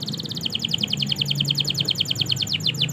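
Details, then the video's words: Canary singing a rapid rolling trill of short repeated high notes, several per second, in 'gacor' style for training silent canaries, with a steady low hum beneath. "Masteran suara Burung Kenari Gacor Panjang Auto Nyaut Kenari Macet dan Paud"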